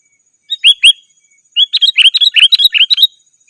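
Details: Lively sooty-headed bulbul call meant to challenge rivals and attract wild birds. Two slurred downward notes come first. After a short gap, a fast tumbling run of about a dozen bright chirps follows.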